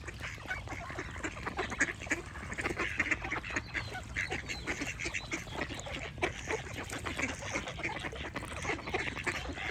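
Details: Many ducks quacking together in a steady, noisy racket of short rasping calls, with bird chirps scattered through it.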